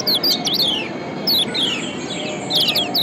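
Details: Lombok yellow white-eye 'ciak' calls used as a lure to make lazy birds sing: a few short bursts of thin, high, falling chirps, separated by gaps, over loud broadband hiss.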